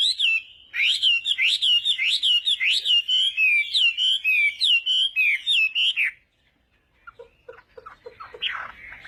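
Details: Morning practice song of a Chinese hwamei trained for singing contests: about six seconds of fast, loud, looping whistled notes, then a pause followed by softer, scattered short notes.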